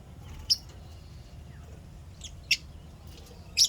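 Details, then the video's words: Happy lovebirds chirping: three short, sharp, high chirps spaced about a second apart over a low steady background hum. "lovebirds chirping sounds happy"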